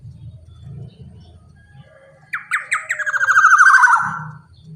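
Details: Black-naped oriole used as a lure for golden orioles: after low rumbling background, a sudden harsh call of stuttered notes becoming a grating, downward-sliding nasal buzz.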